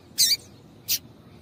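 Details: Female Double-collared seedeater call, used to encourage males to sing: two short, bright, high chirps about two-thirds of a second apart, the first a little louder.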